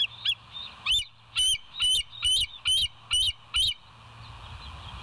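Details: Live-cam recording of West End bald eagles, 7 July 2023, 06:21: about eight high, shrill chirping notes repeated roughly every half second, then the calling stops and only a low hum remains.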